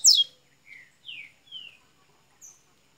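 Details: Double-collared seedeater in Minas Gerais, Brazil, beginning to sing: one sharp high downslurred note followed by four thin falling whistles spaced about half a second apart.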